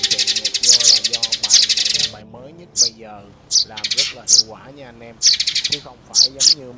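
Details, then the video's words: Sparrow lure recording for net and glue trapping: a fast run of high chirps, then short separate chirp bursts spaced about a second apart, with soft tonal music beneath. "Tiếng Bẫy Chim Sẻ Trong Xóm 2024"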